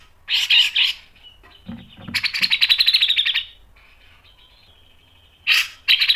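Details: Grey-cheeked bulbul masteran song with harsh chattering bursts and a long run of fast buzzy pulsed notes, a low thud in between, and further short loud bursts at the end.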